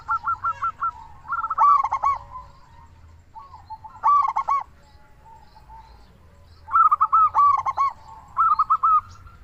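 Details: Energetic local zebra dove song for luring doves to call: clipped staccato coos alternate with three loud, buzzy, descending rolling phrases, ending in a run of evenly spaced coo notes.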